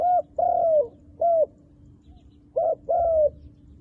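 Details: Wild dove with dark black feathers gives loud low coos in two phrases: short note, long downward-sliding coo, short note, pause, then a double note and another long falling coo, with a faint steady hum beneath.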